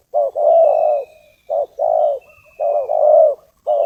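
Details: Spotted dove used as a lure bird to call in wild doves for trapping, giving loud low coos in phrases of a short note followed by a longer rolling coo, repeated with pauses; faint high whistles from other birds behind.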